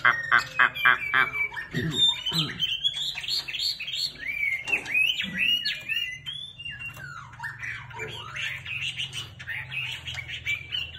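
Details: Chinese hwamei in full plumage singing a long, loud, varied song of rapid slurred whistles and rising and falling phrases, with dense trills and a steady low hum behind.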